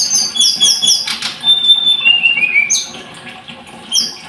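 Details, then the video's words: Blood-breasted flowerpecker: rapid high-pitched chip series, a flutter of wings, then a thin whistle sliding downward in steps, ending with a few sharp notes. "Kicau Tledekan Gunung"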